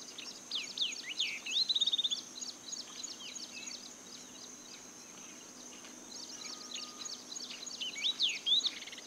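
Yellow-eyed babbler giving high, sweet whistled phrases with quick slurred notes in two bursts, over a steady high insect-like hiss.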